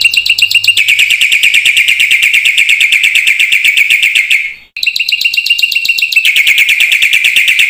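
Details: Black-winged myna in full, varied song, used to prompt silent mynas into singing: a fast, buzzy run of sharp notes at about four per second, briefly cut off near the middle, then resuming at the same pace.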